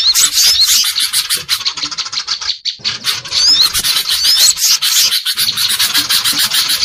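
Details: Greater green leafbird in an agitated, noisy calling bout, used as a lure for trapping birds. A dense, continuous stream of harsh, scratchy high notes, with occasional thin, sweeping whistles breaking through. Brief gaps interrupt the stream.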